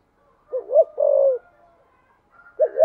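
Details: Spotted dove, 'thunder voice' style, rapid cooing: one low double note and a long hoarse coo, then the next phrase beginning, over soft background cooing.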